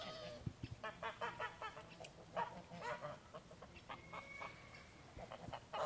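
Greylag geese honking: rapid runs of nasal, brassy notes from several birds overlapping, with one higher drawn-out note near the end.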